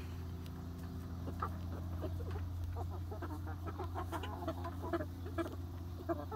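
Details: A new flock of young laying hens explores its freshly built outdoor run on the first day, with soft, rapid clucks and murmurs scattered throughout against a constant low background hum.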